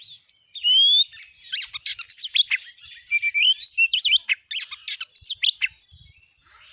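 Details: Oriental magpie-robin lure song provoking other magpie-robins, in gacor nembak style: a rising whistle followed by dense varied chatter of sharp chips, squeaks and short slurred notes.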